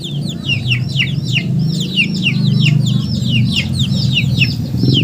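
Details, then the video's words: Chickens peeping constantly, high descending chirps from several birds, over a strong low mechanical hum. "Funny Chicken Sounds"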